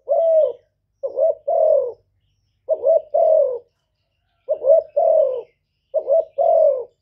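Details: Cooing of a spotted dove meant to provoke males. Soft low phrases come in clean, spaced pairs: a brief broken note, then a sustained coo that falls gently. No other sounds.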